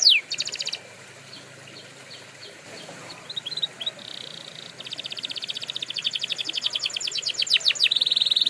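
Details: Canary song for training: a quiet opening with scattered short notes, then a growing, very rapid, even trill that becomes loud toward the end, ending on a buzzy sustained phrase.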